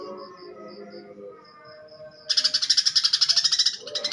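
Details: Greater green leafbird, sparrow-filled fighting song: a faint thin repeated tone at first, then an abrupt, loud, rapid buzzy trill of even pulses for about one and a half seconds.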